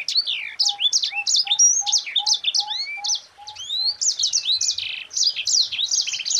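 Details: Sanger (yellow-fronted canary) in full ngerol rapat song meant as a master recording for other birds: a fast stream of sharp high chirps and down-slurred whistles, with a soft low note repeated steadily beneath for about four seconds.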